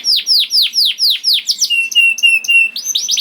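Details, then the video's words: Young canary song used to coax silent canaries into singing: repeated falling whistled notes about four per second, then a steady high whistled tone broken by quick clicks and chirps. "PANCINGAN KENARI PAUD TERBUKTI AMPUH MEMANCING KENARI SUSAH BUNYI IKUT GACOR"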